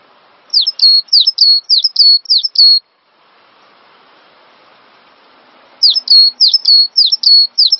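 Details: Cinereous tit song from a master recording for training songbirds: two bursts of sharp, high whistled two-part notes, each a quick downslur into a steady tone, repeated about five times per burst with a quiet pause between.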